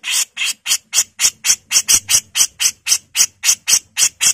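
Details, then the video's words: A female grey-cheeked bulbul, or cucak jenggot, sings loud rasping 'mbesetan' phrases. About seventeen harsh, hissy notes repeat steadily, roughly four per second, with little pause between them. "MASTERAN CUCAK JENGGOT GACOR FULL MBESETAN || CUCAK JENGGOT BETINA GACOR"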